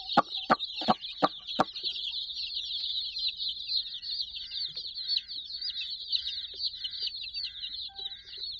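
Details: Roughly sixty chicks mob a soft toy puppy with nonstop thin, high peeps; five loud taps open the recording, and a short buzzy call repeats about once a second in the second half.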